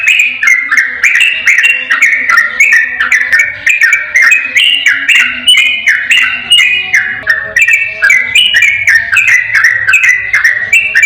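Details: Yellow-vented bulbul in the ropel style, played as a lure so a reluctant bulbul will answer: chattering, fluty notes in quick rising and falling steps, with a faint low tone beneath.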